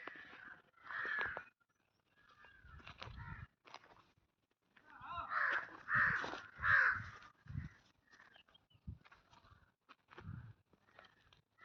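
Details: An Indian crow in green village surroundings near Hosur gives harsh, nasal caws, one early on and then a run of three about half a second apart, over low thumps and faint outdoor noise.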